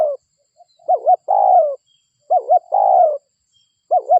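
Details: Local spotted dove lure call meant to bring other spotted doves. Repeated mellow phrases of two short hooting coos plus a longer downslurred coo, roughly every 1.5 seconds, with no other sounds.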